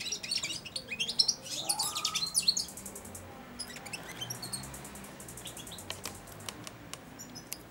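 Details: Hand-fed, caged European goldfinch, four months old, producing its early babbling song beside the feeding hand. A burst of fast, high, buzzy twittering trails off into sparse sharp chips and soft clicks.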